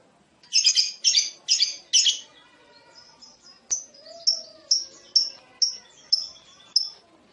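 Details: Lovebird sound meant to prompt any lovebird to reply with long chattering: four loud rasping chirps in a row, followed by a run of short, sharp high notes roughly every half second.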